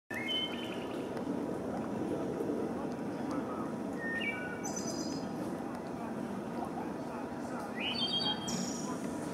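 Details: At Huntley Meadows, a Wood Thrush sings a few flutelike phrases a couple of seconds apart, some ending in a high, buzzy trill, over a steady hiss of background noise.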